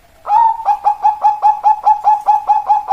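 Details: Rhythmic cooing of a zebra dove: some thirteen quick, mellow notes in a steady, even beat, beginning after a short pause and continuing to the end.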